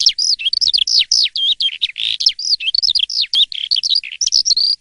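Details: Asian pied starling in full morning song, strong and unbroken: a dense, varied stream of bright whistles, scratchy chatter and downslurred notes for about five seconds, delivered rapidly with only brief breaks.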